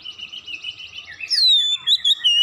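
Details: Oriental magpie-robin singing after one lure: a steady buzzy pulsed trill, then a loud high whistle sliding downward into a few quick inflected notes.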